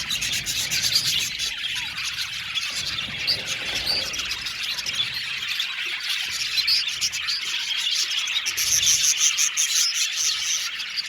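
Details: Aviary colony of around 70 budgerigar pairs producing a busy, unbroken wall of high chirps, chatter and occasional squeals, growing slightly louder near the end.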